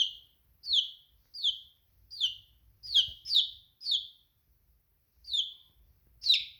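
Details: Domestic chick chirping: a series of about nine high, downward-sliding peeps, each short and sharp, spaced roughly every half to one second, with a faint low rumble underneath.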